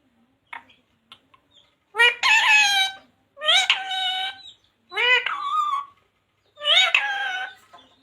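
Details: Pet parrot speaking phrases like jai shree ram, radhe radhe, sita ram or mummy papa; four evenly spaced, loud, harsh, buzzy phrases about every one and a half seconds, with faint clicks before.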